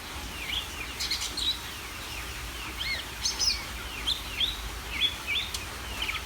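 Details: Greater green leafbird in lively song: a string of curving whistled phrases and quick chirps at high pitch, repeated through the passage with a low steady hum beneath.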